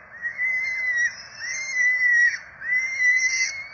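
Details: Peregrine falcon chicks, four nestlings being fed by their parents at a camera-watched nest in Rome on 12 April 2024. Three drawn-out whining squeals, each about a second long, arching up and then sliding down, with fainter high squeaks above.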